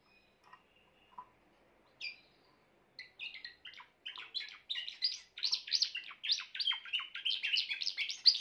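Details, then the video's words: A grey Timbrado canary starts with a few scattered soft notes, then builds into a loud, rapid stream of rolled, warbling phrases that grows fuller toward the end. "chant d'un canari timbrado gris"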